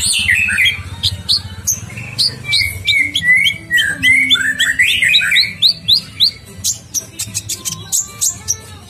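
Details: Actively singing kolibri ninja sunbird delivers a long rolling song of rapid, tumbling slurred whistles that rise and fall, then breaks into sharp, clipped high chirps repeated several times a second over a faint low hum.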